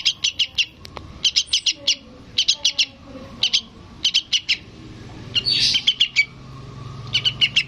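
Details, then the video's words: Fledgling yellow-vented bulbul calling to its parent with bursts of short, high, piercing chirps in rapid clusters, broken midway by a harsher buzzy flurry, then more chirp groups; low background hum. "SUARA BURUNG TRUCUKAN ANAKAN MEMANGGIL INDUKNYA"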